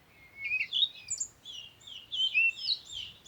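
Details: A bird's continuous, high warbling phrase of rising and falling twittered notes that run together over a soft low background rumble.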